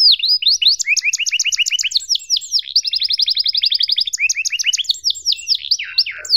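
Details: Canary singing long and continuously as tutor material for young canaries: unbroken chains of fast, evenly repeated chirps, shifting from one trill type to the next, ending in a few sweeping notes.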